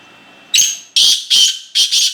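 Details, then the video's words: A single full call of the black francolin, known locally as kala teetar: a rapid sequence of four to five loud, harsh, scratchy notes, the final pair closely joined, over a quiet background. "Full Size Kala teetar awaz"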